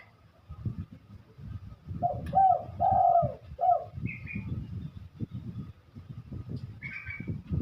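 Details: Spotted dove giving a short phrase of mellow, low coos mid-recording, with soft knocking background noise and two brief higher twittering notes from another bird.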